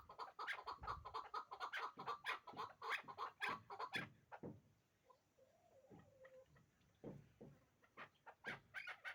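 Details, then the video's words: Repeated harsh clucking chuk notes from a hybrid chukar partridge, a yearling bird. The notes are dense for four seconds, then thin out, and a short tonal whistle is heard in the pause. "Кабки Гибрид"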